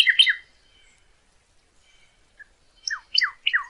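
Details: Northern cardinal singing for bird training: a few quick notes, a pause, then a set of short whistles slurring downward, repeated three times in quick succession.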